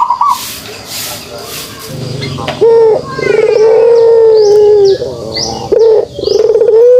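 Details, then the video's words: Kugeruk call of a pelung dove. A quiet, noisy opening leads into long, drawn-out, trembling coos that hold a steady pitch and dip slightly at the end. Faint high chirps from other birds are also heard. "suara kugeruk burung puter pelung"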